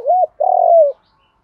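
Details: Decoy spotted dove calling to lure wild doves: an arched mellow coo followed by a longer, rolling coo that slowly falls at the end, clean and close.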